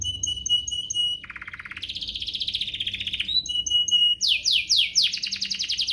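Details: Canary singing vigorously, used as a lure to stimulate other canaries to sing: rapid high trills and rolling phrases switching pitch every second or so, with repeated whistled notes and buzzy rattles in a continuous stream.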